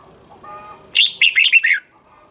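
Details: A single quick phrase from a red-whiskered bulbul in Thailand, four to five clear, jumpy whistled notes in under a second. It follows a soft low hum, in a recording meant for playing to caged birds to stir them up.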